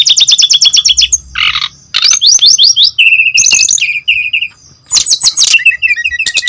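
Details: Energetic song of a brown-chested jungle flycatcher, played as a tutor and lure for other birds: rapid trilled runs of high notes, a brief harsh buzz, then steady whistled phrases and more quick trills.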